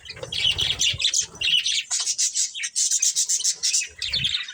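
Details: Breeding pair of caged budgerigars chirping: dense, busy warbling chatter of high buzzy notes and quick squeaks, nearly continuous, with brief low rustling bursts near the start and end.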